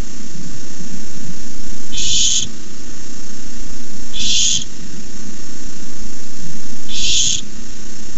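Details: Begging barn owl at a nest camera on May 29, 2015, as a rat is delivered: three separate breathy, rasping hisses spaced about two and a half seconds apart, steady low hum in the background.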